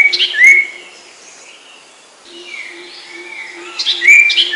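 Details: Cipoh (Common Iora) sertu song: short rising and falling whistled slurs at the start and end, with a softer wavering middle and a steady low hum throughout.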